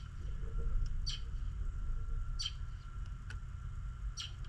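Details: Snowy-morning birdsong: three crisp, short high chirps roughly 1.3 seconds apart, with a few fainter ticks between them, set against a low, constant rumble and a thin steady tone.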